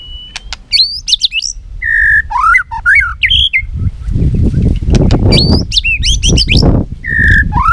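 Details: White-rumped shama singing in competition, tail flicking: rich whistles, trills and rapid chattery bursts repeated in phrases, with loud low rumbling thumps and rustling under the second half.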